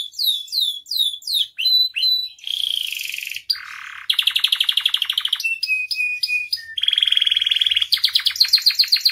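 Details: Canary in full gacor song, a lively tutor recording packed with varied phrases: falling chips, a sustained whistle, dense buzzy rolls, a lower rattling trill and bursts of rapid high notes, switching phrase every second or so.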